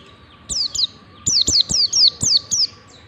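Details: White-eye in ngalas song style, used as a training lure: clipped high notes, each sliding steeply downward, one brief pair then a fast run of five or six, over a faint steady hum.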